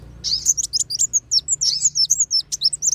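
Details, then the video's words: Sunbird lure call of kolibri wulung and sogon, used to bring wild birds down: rapid high, thin chirps and twisting downslurred notes in a fast, steady stream. "SUARA PIKAT BURUNG KOLIBRI WULUNG DAN SOGON"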